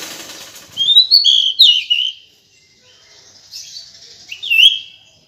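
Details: Female decu bird calls: loud, high, slurred whistles and chirps in a short burst, then softer notes and one final bright whistled note, with a faint hiss at the start.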